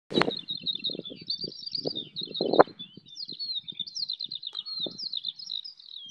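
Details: Eurasian skylarks singing in flight over a wheat field full of them near Bath, England, recorded on an iPhone: an unbroken, fast, high warbling stream of chirps and trills, with low gusty wind thumps and rumbles underneath.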